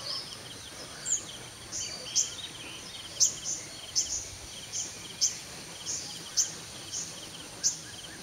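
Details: Sunbird at 5:30 AM giving a series of very short, thin, high ticks repeated roughly every half second over a hissing background.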